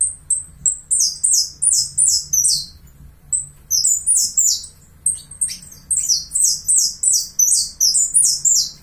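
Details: Uruguayan saffron finch singing: long runs of high, sharp chirped notes, each sliding downward, delivered in rapid bursts of about three per second, with a brief pause near the middle before the phrases resume.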